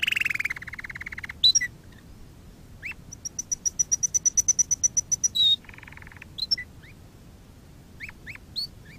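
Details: Canary singing as a training lesson for other canaries: opens with a buzzy rolling trill, then scattered chips, a steady run of about fifteen high piping notes, a short rapid roll and several upslurred chirps.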